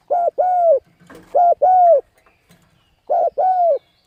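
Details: Spotted dove giving a coaxing coo call meant to stir up decoy birds. Three paired coos: a short clipped note, then a longer mellow falling one, about a second apart. A faint knock sounds between the first two pairs.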